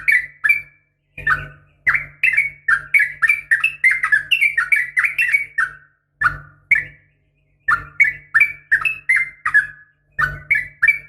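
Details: Female yellow-vented bulbul giving a fighting call meant to excite males: bursts of quick, slurred chirping notes in bouncy runs, broken by brief pauses, with a constant low electrical hum beneath.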